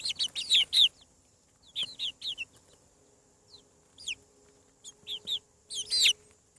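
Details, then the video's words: Newly hatched chicks on a farm give piercing, high, arching peeps in quick runs of three to five, with longer silences between runs and a faint hum underneath. "Chick sounds. Hatching From Egg"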